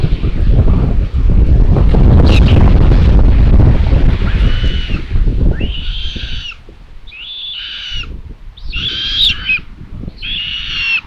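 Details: Common buzzards at a solar-powered nest camera in Tiszalök, Hungary, on 27 May 2022, as the mother brings another chick as prey. Loud rustling and low rumbling noise fills the first half, then four drawn-out, high, whistled mewing calls follow in a row.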